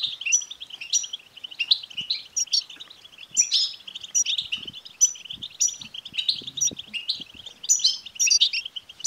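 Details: Lively goldfinch song for stimulating a caged male goldfinch: rolling twitters interleaved with bright high tinkling phrases every second or so, with faint low knocks and rustles behind.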